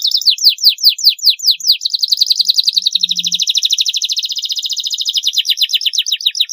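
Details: Canary tutor song for young birds, aimed at getting them singing quickly: about ten loud separate downslurred whistles, then a long, rapid, even high trill that loosens again into spaced sweeping notes.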